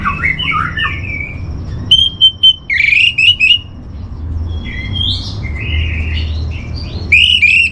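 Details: Orange-headed thrush song for training kept birds: varied warbled phrases, several loud clipped whistles in a row, then more flowing whistled notes, over a constant low hum.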